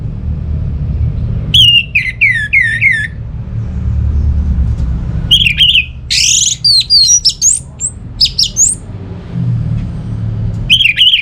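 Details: Orange-headed thrush singing vigorously to coax other birds into song: bursts of ringing downslurred whistles, then a busy phrase of high squeaky and sweeping notes, separated by short pauses, with a steady low rumble behind.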